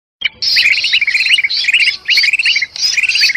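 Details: Agitated calls of a golden bulbul mixed with the cries of a trapped bulbul, from Sumatran forest, used to lure birds: harsh noisy bursts paired with quick chirping notes, in three bouts separated by short pauses.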